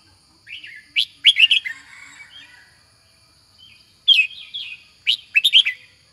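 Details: Red-whiskered bulbul, a competition songbird, pours out rapid bursts of bright slurred whistles, first one long phrase trailing into soft chatter, then two more quick phrases, over a faint continuous high tone.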